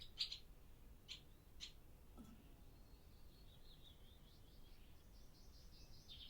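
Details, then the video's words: Barn swallows in an old barn, daytime, breeding season start, captured on a Zoom F6 and Sennheiser MKH: three crisp high chirps about half a second apart, then a faint, drawn-out wavering high warble. "Barn Swallow Sound Library"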